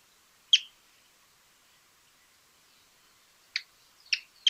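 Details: Pearly-vented Tody-Tyrant, Argentina: single sharp, clipped notes spaced out, one early then three closer together near the end, over a quiet background.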